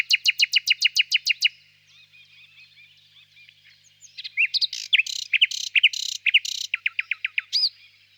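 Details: Common nightingale in full song, opening with a rapid loud series of clicking notes, a quiet pause, then varied rich whistles, sharp chirps and another fast repeated rattle of upslurred notes.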